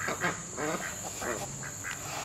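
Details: Domestic ducks, excited, on a small three-acre self-sufficient homestead: a run of short, nasal quacks, about six bursts in two seconds, over a man speaking.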